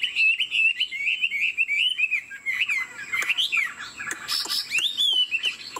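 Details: Purebred Chinese Hwamei in a cage pours out looping slurred whistles in quick succession, ending in rising swoops, with some sharp clicks and a brief noisy burst near the end.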